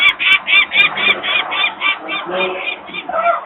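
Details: Harsh, rapid cackling from peregrine falcon parents, about four notes each second, at a Polish nest in Włocławek on 23 May 2022, afternoon, as nearby employees make noise and the young remain on the ledge.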